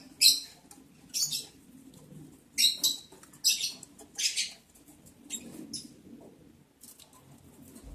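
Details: Breeding lovebirds, mating, recorded July 11, 2022 on day 11 of breeding progress: a series of about eight harsh, high screechy chirps at irregular intervals under half a second to about a second apart, with quiet low background hum.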